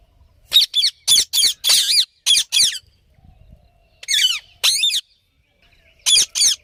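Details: Parrot giving loud harsh squawks in quick bursts, several close together then pauses, each rasping and broadband with a wavering high tone.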